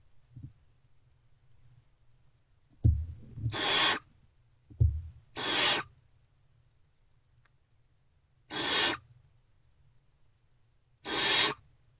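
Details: Pre-dawn on 3/3/24, unfed great horned owl owlets in a nest box react to an adult coming back. Four short, harsh hisses are spaced widely apart, some preceded by soft knocks, over a low hum.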